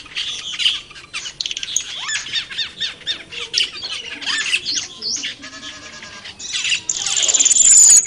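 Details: Black-winged starlings in the wild giving harsh, squawky chatter in rapid overlapping bursts, several birds calling at once, with a thin high whine building near the end.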